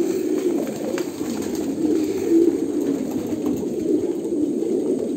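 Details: Many Kolkata pigeons coo at once, a steady, throaty, low rumble of overlapping calls with a few faint clicks behind it.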